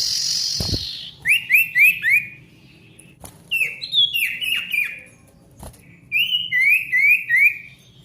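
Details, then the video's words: Ashy tailorbird singing, played to prompt silent tailorbirds to sing again: a hissy opening, then series of three to four quick rising whistled notes, repeated in several bursts with short pauses. "SIRTU GACOR RIBUT COCOK UNTUK SIRTU MACET BUNYI AGAR GACOR KEMBALI"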